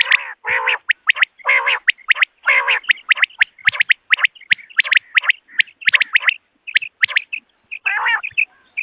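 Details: Common quail in the morning, recorded for hunting: a busy run of clipped chirps mixed with several lower, harsh, rasping bursts, keeping a steady fast rhythm with no quiet gaps.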